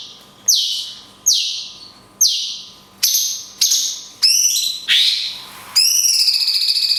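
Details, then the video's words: A cungkok giving long 'kunti' shots with natural gaps, recorded for songbird training: a run of loud descending whistles about once a second, ending in several harsher, buzzy, upward-bending notes; faint constant electrical hum. "CUNGKOK TEMBAKAN KUNTI PANJANG - JEDA ALAMI"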